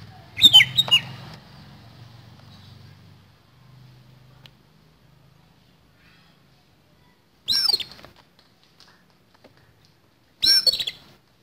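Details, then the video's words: Oriental magpie-robin fighting song with a harsh fill: a rasping, clicking phrase, then a low hum, then two more short, coarse bursts with whistled slurs after long pauses. "KACER TARUNG ISIAN KASAR"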